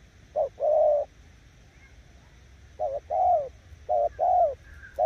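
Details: Spotted dove in 'gù' cooing style, a bird said to outdo weak decoys: low hollow coos in pairs, a brief note then a drawn-out one, about three pairs spaced roughly a second apart, with a faint thin whistle behind.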